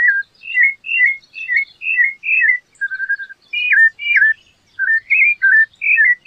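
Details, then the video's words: Steady series of mellow whistled notes from a rufous-bellied thrush, falling slurs repeated about twice a second, then more varied rising and falling phrases. "sabia laranjeira cantando canta muito bonito"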